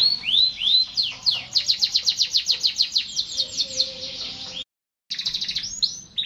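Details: Canary song with looping whistled sweeps leading into a long fast trill of descending notes, a brief silent gap, then renewed high trilling.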